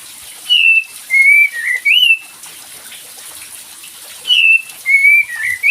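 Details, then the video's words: Cream-vented bulbul sound meant to make a quiet bird sing: a string of four clean, slightly wavering whistles, a pause, then a similar string again, with continuous water-like hiss. "SUARA PANCINGAN UNTUK KAPAS TEMBAK MALAS BUNYI"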